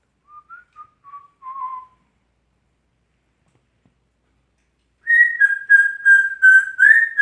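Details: Indoor male African Grey parrot performing original whistled compositions: four or five short stepwise-descending whistles, silence, then a loud sustained whistle with small wavering pulses, rising at the end.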